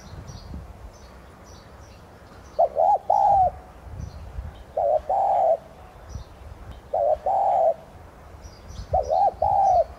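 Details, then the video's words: Decoy spotted dove of subspecies tigrina cooing to get other doves singing; four phrases, a fast double note then a drawn-out coo, spaced around two seconds, over low rumbling background and soft high bird chirps. "Chim cu gáy THÚC GÙ Giọng CỰC HAY kích bổi/Cu gáy mồi cây Thúc Gù kích mồi tập bổi hiệu quả"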